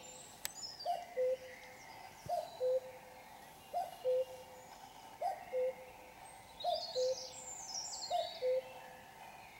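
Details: Common cuckoo singing at 5 a.m. on a Sunday morning, while still dark; a clear two-note falling 'cu-koo', higher note then lower, repeated about every one and a half seconds, about six times, with faint high chirps of other birds behind.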